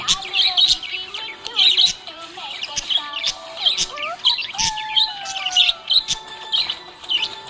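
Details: Happy budgie chirping in bursts of bright, scratchy warbles and quick tweets about every second, over a faint background melody and a few clicks.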